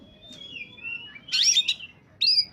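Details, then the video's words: Singing oriental magpie-robin in top form, for luring wild birds: a long thin whistle sliding gently downward, then a loud burst of rich warbled notes and a final bright upslurred phrase. "suara burung Kacer saat sedang on fire!!!! pancingan burung bakalan/ pikatan"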